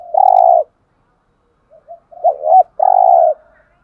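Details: Spotted dove cooing in the 'hạp bổi' style, used to rouse caged birds. A long purring coo ends one phrase. Soft short notes then lead to a new phrase: two hooked coos and another sustained purr.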